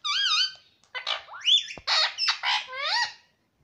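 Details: Pet ringneck parrot talking indoors: a run of harmonic, wavering whistled syllables, then a rising squawk and several quick chattering, speech-like bursts, ending on a drawn-out bending tone.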